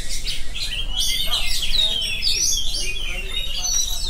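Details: Oriental magpie-robin in unbroken 'ngerol' song, pouring out high whistles, sharp chirps and fast twittering slides one after another without pause.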